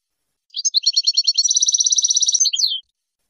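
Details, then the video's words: European goldfinch in 2022-season 'lugha' song, the approved style for teaching young goldfinches: high twittering notes run into a fast, even, rattling trill of about two seconds, ending in a sharp downslurred note; no other sounds. "اسمع واستمتع وعلم فرخ حسونك اللغة المعتمدة, لغة حسون موسم2022"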